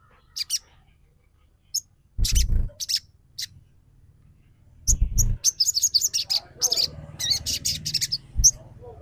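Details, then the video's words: Sogon trotol lure to trigger singing: scattered high chirps building into dense, rapid twittering, with heavy low thumping noises and a steady low rumble. "SUARA PIKAT SOGON TROTOL"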